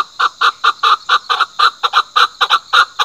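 Chukar giving a loud, rapid series of harsh clucking chuk notes, about four per second, in an even rhythm that quickens toward the end.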